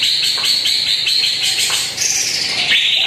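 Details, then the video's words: Greater green leafbird song used as a lure to prompt a quiet bird to sing: a dense run of quick chirps and whistled notes, mostly high, with short rising and falling phrases repeated without pause. "PANCINGAN CUCAK IJO ANDA YANG JARANG BUNYI"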